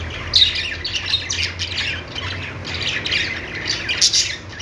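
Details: Budgies chirp and warble in a steady stream of scratchy, squeaky chatter from several birds. High notes overlap continuously, with a faint low hum underneath.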